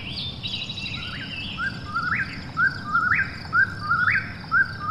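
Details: Eastern whip-poor-will calling at night: after a brief higher warble at the start, a low note slides into a sharp rising upslur, repeated about once a second, over a steady low rural hum.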